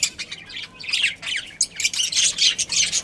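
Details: Colony of pet budgerigars chirping nonstop, a dense tangle of harsh squawks and high twittering notes that swells louder in the second half.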